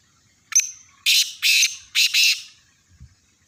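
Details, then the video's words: Black francolin, a Sindhi-strain kala teetar: a brief thin whistled note, then four loud harsh rasping bursts in a quick grating phrase, the middle pair close together. "kala teetar ki awaz"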